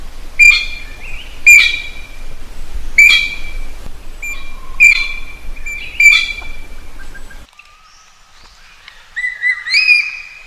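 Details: Common green magpie calling to find a mate; a run of loud piercing whistled notes spaced about one to one and a half seconds apart, then quieter whistles after the background noise cuts out.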